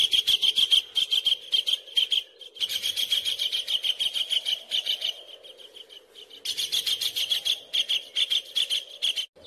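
A collared kingfisher gives rapid bursts of harsh, high, repeated notes, pausing briefly between runs.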